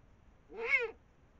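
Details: Eurasian eagle-owl pair, female and male, feeding on a brown rat above the Moselle valley, 5 am, 21 March 2022; a single loud, nasal, rasping call rising and falling, like a hoarse meow, over quiet background.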